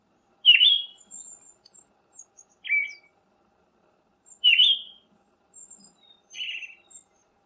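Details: Short whistled phrases of a Siberian thrush, four in about seven seconds, alternating a bright slurred note with a lower buzzy twitter, thin high notes faintly in between.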